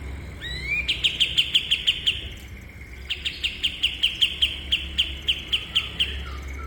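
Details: Song of a cream-vented bulbul, a master recording for cage bird training: one rising slur introduces a run of bright repeated chips, then a longer second run of the same crisp notes.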